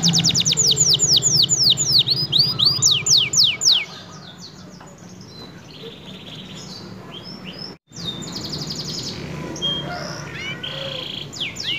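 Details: Canary of F1 type, used as a training model for other songbirds, pours out fast descending trills and swept notes for about four seconds, then sings much more softly amid background noise and a low hum.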